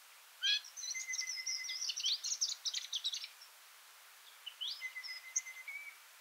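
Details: Chattering Varied Sittella feeding party, recorded around Kinchina, Mannum and Ferries McDonald: fast high twittering runs of notes in two bursts, with a lower, steady, drawn-out whistle running beneath each burst.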